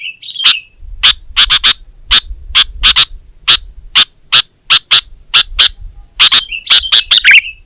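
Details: Sooty-headed bulbul (kutilang) giving crisp, separate chirps at uneven intervals, with short slurred whistles at the start and end, over a faint low rumble.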